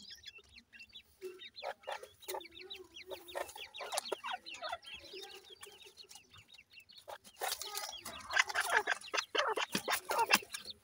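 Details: Young black francolins (kala teetar chicks) peeping in a dense, irregular stream of thin, quick chirps, quieter at first then building into a louder, crowded chorus with rustling and knocking sounds.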